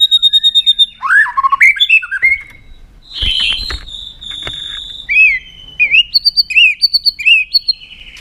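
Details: White-rumped shama (murai batu) singing varied clear whistles: rapid repeated high notes, slurred rising and falling phrases, a held steady tone midway, then bouncing looped whistles repeated in quick succession.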